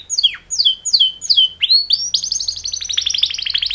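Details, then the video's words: Male canary mating-call song, two males: four descending whistled swoops about every 0.4 seconds, then a fast high rattling trill, with a faint low hum behind. "Super Two Males Canary Mating Call Songs"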